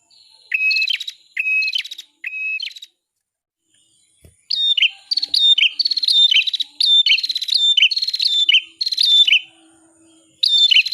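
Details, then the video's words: Bar-winged prinia singing for tutoring songbirds: three spaced phrases of whistle plus upflick and buzzy rattle, a pause, then a long, rapid stream of rattling buzzes and sharp chips. "suara burung prenjak kepala merah"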